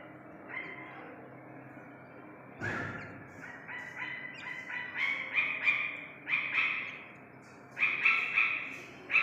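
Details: Iranian partridge chick: a sharp knock near the start, then quick series of coarse, raspy notes that grow louder and come in clustered bursts, ending with a loud doubled call.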